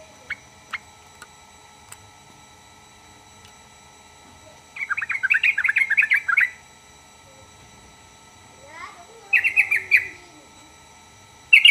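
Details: Yellow-vented bulbul song, played to make other birds of its kind answer straight away. Two bursts of rapid, bubbly chattering notes are separated by a quiet pause, with a brief sliding note in between.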